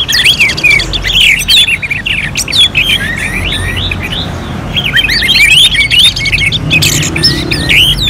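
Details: Contest-simulation singing of Orange-headed thrush, Singaraja, North Bali: busy stream of sharp upslurred whistles and twittering trills, loud near the start and again after five seconds, with a quieter gap midway.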